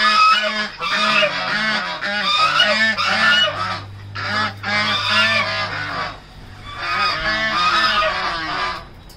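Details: Farm-kept Chinese goose near Pune, Maharashtra, India, honking loudly in brassy repeated bursts of two to three seconds with short gaps, and a quieter stretch of honks near the end.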